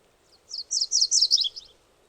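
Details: MacGillivray's warbler song: a burst of about seven buzzy, rapid high notes lasting just over a second, phrases slurring downward and ending with a lower trailing note, over faint background hiss.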